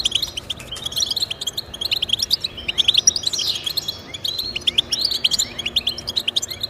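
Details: European goldfinch song for encouraging pet goldfinches to sing: unbroken fast twittering and tinkling trills with a buzzy descending slur around the third second.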